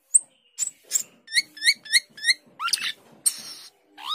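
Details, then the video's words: Asian glossy starling, known locally as cucak keling, in vigorous singing form: sharp high chips, then a series of short rising whistled notes repeated about three per second, followed by harsh rasping bursts and a final upslurred whistle. "Cucak keling gacor teler"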